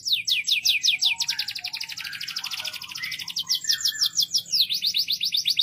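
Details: A canary sings strongly in quick repeated trill phrases of high, sharp notes; a softer, lower warbling runs beneath the middle section before the fast bright trill resumes.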